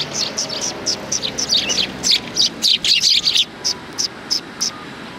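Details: Several sparrows behind a civic culture hall on 17 January 2020 give rapid high chirps, bunching into a busy overlapping chatter mid-clip before thinning to spaced single notes, over faint background hum.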